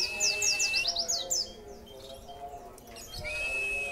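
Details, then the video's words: Caged white-eye singing after a feed of extra food: a quick run of high descending chirps, a long steady whistle, then a quieter pause before another whistle, over low background noise. "Extra fooding untuk burung pleci#plecimaniaindonesia#pleci materi wit,wit"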